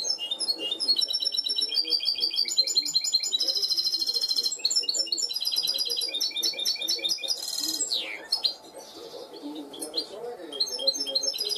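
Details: Trained goldfinch hybrid singing in the clean-song style (cante limpio): rapid high twittering phrases, buzzy trills and a sweeping downward note, changing every second or so, over a faint low murmur.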